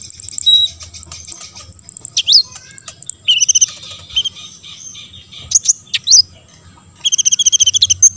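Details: Olive-backed sunbird song meant to prompt other sunbirds to respond: rapid high ticking runs alternate with buzzy chattering trills and a few sharp downslurred squeaks, lively throughout.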